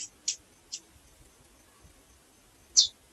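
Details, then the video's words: Female chestnut-bellied seed finch calling: a few very short, sharp high chips, three close together at the start and one louder chip near the end, against near silence. "Fêmea de Curió Piando e Chamando"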